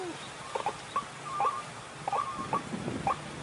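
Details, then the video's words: White-breasted waterhen calls used as a lure to attract birds: short, harsh, rising notes repeated about twice a second in a loose series, over faint background hiss. "Mikat Ruak Ruak Paling Galak"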